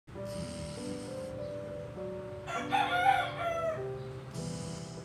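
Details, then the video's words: Rooster crowing once, a loud drawn-out harmonic cock-a-doodle-doo lasting over a second, set against soft, sustained piano music that plays throughout. "Rooster Sounds"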